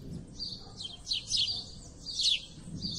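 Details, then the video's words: Several house sparrows making a lively racket: overlapping sharp, downslurred chirps in rapid irregular bursts, some notes blurring together, with a faint low rumble underneath. "Os pardais fazem a festa."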